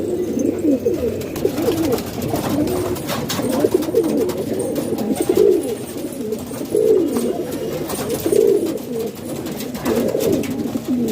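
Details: Pigeons housed indoors in Pakistan coo in bursts roughly every one to two seconds, deep throaty rolling notes from several birds overlapping, with wing rustles and clicks between.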